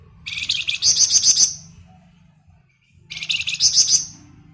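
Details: Flamboyan bird singing in ngebren style. Two bursts of bright, rapid chattering notes, each about a second and a half long, are split by a short pause. A low hum runs underneath.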